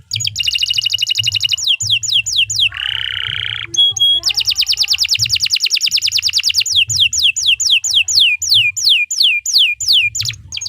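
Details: Singing canary, long 'gacor panjang' song for masteran tutoring: buzzy rattling trills, falling whistles, a lower harsh buzz and a pure note, then long fast trills and repeated downward swoops.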